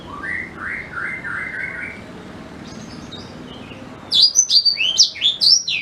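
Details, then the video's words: Black-throated canary singing, a recording used to tutor white-rumped shamas: soft slurred notes at first, then after a quiet pause a loud burst of rapid, high, sweeping chirps and twitters. "Suara Asli Blackthroat Pas Buat Guru Murai Batu"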